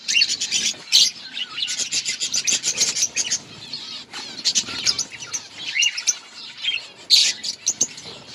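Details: Budgerigars chattering in an outdoor colony, many overlapping bright chirps, warbles and clicks in a steady busy stream.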